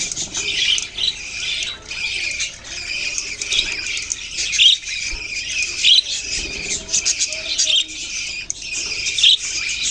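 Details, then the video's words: Chirping budgies from a November 2023 recording form a busy, high chatter. Clusters of bright squeaks and warbled notes come in waves, with brief sharp chirps standing out. "Budgies beautiful colours and chirping sounds"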